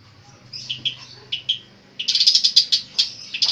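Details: Long-tailed shrike song with mimicked phrases: a few soft whistled notes, then a dense rapid stream of high twittering and chattering notes, with a faint low hum underneath.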